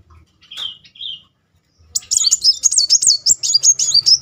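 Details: Muncang sunbird lure song meant to prompt a silent bird to start singing: two short lower whistled notes, a pause, then a long continuous run of very high, rapidly wavering, looping twitters.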